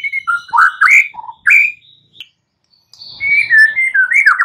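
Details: Morning song of a white-rumped shama, used to prompt silent birds into singing: varied rich whistled phrases and quick slurs, a brief gap, then a rolling series of fluted notes.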